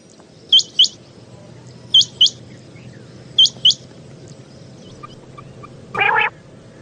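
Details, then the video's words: Common quail calling at night, a sound used to lure quail for hunting in Pakistan: sharp, high, hooked paired notes repeated about every one and a half seconds over a steady low hum, with a brief harsh burst near the end. "Raat Ka Batair |Hunting | की आवाज़ | Bildirçin səsi | رات کو بٹیر جمع کرنے والا والیوم"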